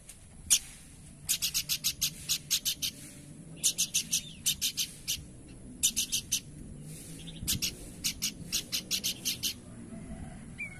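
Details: Horsfield's babbler singing in bursts of fast, dry, high rasping notes, each burst four to seven notes long, separated by short pauses across the recording, with a faint steady background hum.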